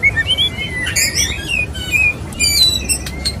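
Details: White-rumped shama male courting a female: high thin whistles and quick warbled phrases between scratchy broadband bursts, mostly high-pitched, over a faint background hiss.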